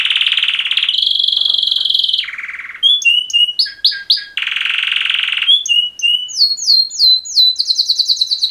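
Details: Two male canaries singing a mating song: a long buzzy trill held for two seconds, a lower rattling roll, then sharp whistled slurs, another steady trill, and rapid rising chips repeated quickly at the end.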